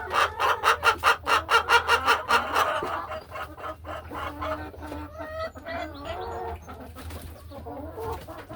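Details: Laying hens in a hen house on an afternoon, settling into nesting boxes and walking along ledges; a quick run of rhythmic clucks, about a dozen evenly spaced, then softer scattered clucks and a few drawn-out calls.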